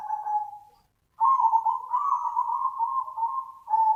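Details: Zebra dove call meant to attract other doves: a short trilled coo fades out, then after a brief gap comes a long rolling purr lasting over two seconds, ending in another clear coo, in a quiet background.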